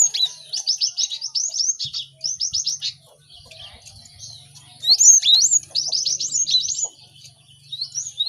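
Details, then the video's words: Several caged cinereous tits sing at once as a learning aid for other birds: bursts of quick repeated high chirps separated by short pauses, then looping whistled phrases, with faint low hum beneath. "Pacingan gelatik batu ramai untuk maksimalkan burung belajar cepat bunyi"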